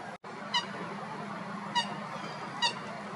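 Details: Common gallinule filmed in Florida: three brief, clipped, nasal honk-like notes spaced irregularly, roughly one per second, rich in overtones, against a constant low hum of outdoor background noise.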